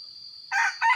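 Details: Red junglefowl (Gallus gallus) in the rainy season, lured with a decoy: two quick, harsh, rasping notes like a clipped rooster crow, over a steady high-pitched insect whine.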